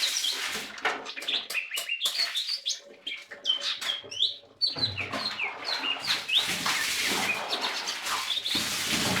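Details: Lesser green leafbird singing a busy, loud stream of varied sharp whistles, chirps and slurred notes, tumbling with little pause throughout.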